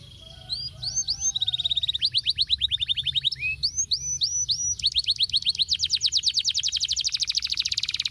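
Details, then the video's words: Male canary song meant to coax silent canaries back into song: an unbroken stream of rapid high trills shifting pitch, ending in a very fast loud rolling rattle. "cuitan kenari jantan ampuh untuk terapi kenari macet"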